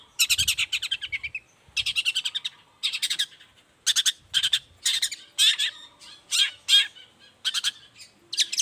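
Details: Long-tailed shrike in morning song meant to prompt other shrikes to reply: bursts of harsh, scratchy chattering notes in groups, separated by short pauses, loud and continuous throughout.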